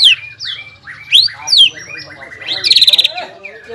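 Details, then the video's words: Greater green leafbird in full 'gacor' song, delivering ngobra and jamtrok phrases: sweeping high whistles rising and falling, a quick buzzy trill near the end, then a softer descending note. "CUCAK IJO GACOR INI NGOBRA DAN JAMTROK SUARA GACORNYA BIKIN CUCAK IJO MANA PUN EMOSI"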